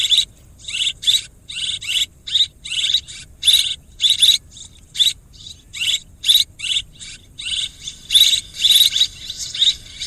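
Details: Swiftlets twittering in rapid, high-pitched buzzy bursts that follow one another almost continuously, some bursts doubled, with brief pauses between clusters and no other clear sounds.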